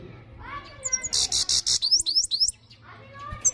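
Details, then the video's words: European goldfinch in full, loud song: a dense one-and-a-half-second burst of rapid, pulsed, high tinkling notes with quick upswept whistles, framed by lower, slurred harmonic calls before and after. "So beautiful gold finch full singing صدای بلند سایره خواندنی"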